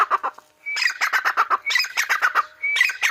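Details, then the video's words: Grey francolin (Dakhni Teetar) in Pakistan giving a dense, rapid run of harsh, chattering, fowl-like notes mixed with high whistles. A short pause follows, then the series starts again. "Dakhni Teetar | Teetar Ki Awaz | Teetar Sound | Teetar Voice"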